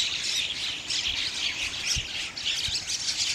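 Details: Bank myna flock, known locally as Gang Shalik; a constant harsh, squawky chorus of high chirps and rasping notes, with two brief low thumps.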